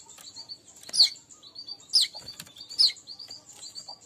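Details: Lure recording of weaver song for trapping weaver birds: loud sharp chirps about once a second over continuous thin high twittering.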